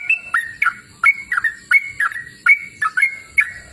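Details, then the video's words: Lively yellow-vented bulbul song recorded in a cool open natural setting, a steady stream of bright, liquid whistled notes, each with a sharp upslur and brief flat tail, repeated roughly three times a second. "Suara Merdu Burung Trucukan Gacor!"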